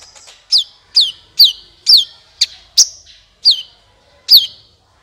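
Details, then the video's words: Sunbird singing, used as a lure for other birds: a steady series of about eight sharp, high, downslurred notes, each falling quickly then holding briefly, spaced roughly every half second. "suara burung Kolibri ampuh untuk pancingan"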